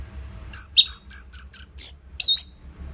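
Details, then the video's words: Orange-headed thrush kept caged, singing to prompt other birds: five evenly repeated high whistled notes, a higher slurred note, a short gap, then a loud looping whistled phrase. "Pancingan & Masteran ANIS MERAH Gacor Jeda Rapet Suara Keras || Burung Macet Pasti Ikutan Bunyi."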